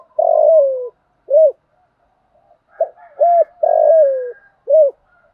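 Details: Spotted dove in fighting song for decoy training: long coos slide slightly downward, each followed by a short arched note. A faint higher call sounds in the background.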